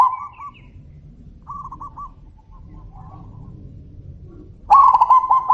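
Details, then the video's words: Zebra doves exchanging calls: brief soft coo trills from a distant bird over a low rumble, then a loud close rolling phrase of quick repeated coos near the end. "suara panggilan burung perkutut - saut sautan - suara besar"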